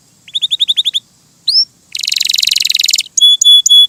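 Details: Canary in lively, melodious gacor song: a string of eight quick descending chirps, a single rising whistle, a dense buzzy trill lasting about a second, then sustained ringing whistled notes.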